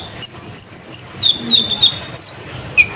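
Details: Sunbird song played to provoke other birds: fast series of very high, thin whistled notes, some dropping in pitch, delivered about three per second in an irregular run.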